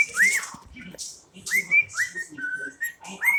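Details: Indoor pet cockatiel whistling rising, steady notes with short pauses between. Soft clicks and low room noise are heard in the background.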